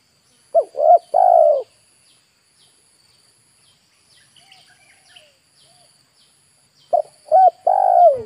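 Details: Spotted dove used as a decoy to draw in wild birds gives a low, mellow coo phrase: two short arched notes and a longer falling one. After a quiet stretch with faint distant chirps, the phrase repeats.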